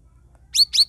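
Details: Ruby-throated bulbul (cucak rawis), a cage bird whose song is played to prompt stalled cage birds to sing; two bright, quick descending chirps with sharp notes, a third beginning, over a faint low hum.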